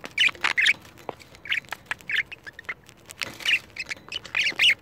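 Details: Two caged pet budgerigars annoyed by a camera make rough, nasal squawks and chirps, irregular and uneven in loudness, with a few quieter notes between the stronger bursts.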